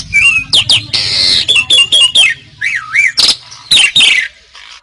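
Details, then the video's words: Asian pied starling song on a tutor recording for songbird training: bright upward whistles, a harsh grating burst, a wavering wobbling whistle and loud squawks, with a low hum in the background. "Ocehan Suara Burung Jalak Suren"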